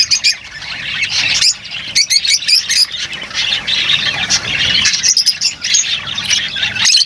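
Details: Lovebirds in noisy song, a steady wash of high, harsh chattering and squeaks from several birds, with occasional louder sharp calls.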